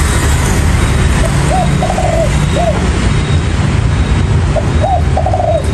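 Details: Cooing spotted dove, wild-caught: two phrases, each a brief lead note, a rising-falling coo and a longer trilled, dropping coo, separated by a pause, with constant low rumbling noise behind.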